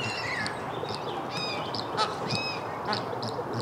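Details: Flamingos getting rowdy in a noisy flock, giving clipped honks and short nasal calls in quick succession, overlapping voices layered on a constant background babble.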